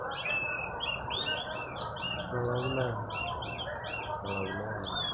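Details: Oriental magpie-robin, newly bought and under training, in a lively torrent of song. Varied whistled notes and fast chirpy slurs pour out continuously over a low hum with faint lower tones.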